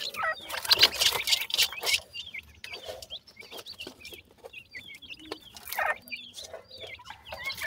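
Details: Black francolin chicks keep up fast, high, downslurred cheeping, opening under a loud rustling scuffle of broadband noise, then continuing more cleanly with rapid overlapping chirps.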